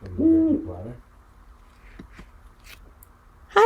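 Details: Captive great horned owl at Quogue Wildlife Refuge, calling repeatedly: a single low, hollow hoot swelling and fading over about a second, then quiet room tone.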